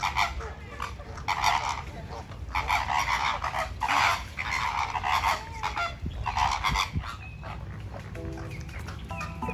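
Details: Group of pink flamingos dancing and fighting, a continuous goose-like honking chorus in rolling waves of overlapping nasal calls, fading toward the end into a few clearer single honks.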